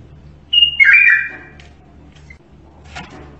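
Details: Single Zamili-style strophe from an Iraqi bulbul: high steady whistle stepping down to a lower, rolling warble of about a second, then a tiny chirp and a faint click.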